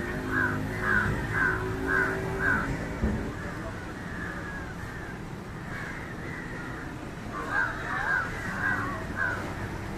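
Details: Harsh caws from an Indian jungle crow (Corvus culminatus) feeding on fish, given in a fast run of five evenly spaced calls about two per second, then a pause and a second ragged burst of caws, with low background rumble.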